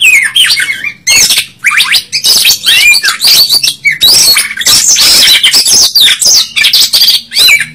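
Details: Oriental magpie-robin singing energetically during a fight, tail spread: bright whistled notes that swoop up and down, interleaved with loud grating rasps, delivered in tight, nearly unbroken phrases.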